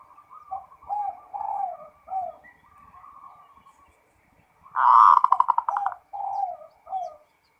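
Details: Local zebra dove singing without pause: several mellow, wavering coo phrases, a brief lull, then a strong burst of quick stuttering notes that runs into two softer falling coos.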